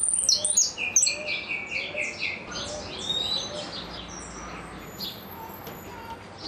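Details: Goldfinch singing in the repique style: quick, dense bursts of high chirps and short slurred notes, some rising and some falling, tumbling over one another, with a faint lower warble beneath and light background hiss.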